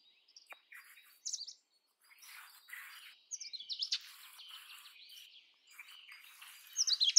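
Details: Indian robin (Copsychus fulicatus) singing: an irregular run of short, sharp chirps and slurred whistled notes, some rising steeply, delivered in bursts separated by brief pauses, with a louder cluster of high notes at the end.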